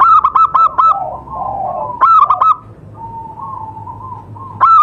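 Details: Local zebra dove at a bird-trapping site sings repeated bursts of fast, rolling coo notes, with lower warbling tones between the phrases and a faint steady hum.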